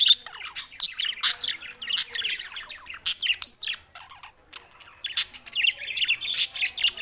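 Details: Budgerigars in Larkana, Sindh, June 7, 2024, giving clear, loud chirping warbles in quick bursts, squeaky rising and falling notes with short pauses between phrases.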